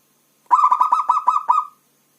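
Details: Many-note call of a local zebra dove from Java: around eight fast, rhythmic coos on one level pitch, slightly longer series ending in a drawn-out tail, no other sounds.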